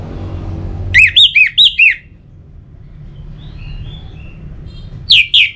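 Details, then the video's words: Orange-headed thrush (anis merah) lure song: five rapid looping whistled notes rising and dropping in quick succession, a pause with faint distant chirps, then two more loud swooping notes. "Pemancing Burung ANIS MERAH Agar Selalu Gacor, Baik di Musim Hujan & Kemarau"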